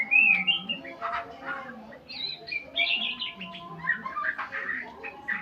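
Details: White-rumped shama learning sounds during a full-length session with tutor recordings: a busy run of varied whistled and chirping phrases, some sliding and trilled, over a steady low hum.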